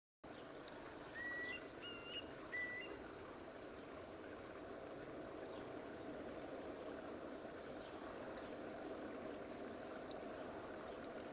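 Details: Long-billed Curlew (Numenius americanus), male or female parent, gives alarm calls at a person setting up a tripod across the road from the field where it forages with a small chick: a few short, clear, slightly rising whistles under wind.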